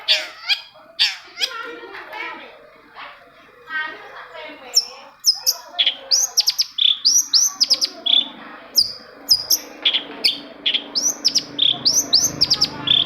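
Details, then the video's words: Long-tailed shrike lure song for prompting silent shrikes: opens with harsh, rasping chatter, then shifts to a fast run of bright, high, arched whistles, repeated several times per second toward the end. "CENDET MACET SUSAH BUNYI PASTI NYAUT KETIKA MENDENGAR TOETAN BURUNG CENDET INI"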